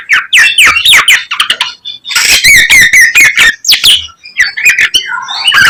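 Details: Young garugiwa in full song: fast bursts of sharp chattering notes mixed with slurred whistles. Brief pauses split the phrases, and the delivery stays loud and energetic throughout.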